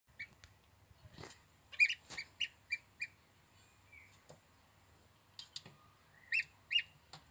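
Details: Healthy, plump young gosling peeping: bright, high-pitched single notes in short clusters, a loud pair near the middle and a second burst near the end, with faint rustling and handling noise between them.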